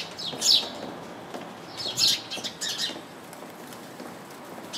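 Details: House sparrow perched in a bush full of other house sparrows, chirping: two bursts of high, sharp chirps about a second and a half apart, then a few softer chirps, over quiet background hiss.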